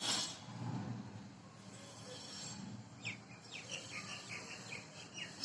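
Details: Two mynas give a quick run of short, clear whistled notes, each bending down then up, in the second half, over a steady low rumble of traffic or machinery.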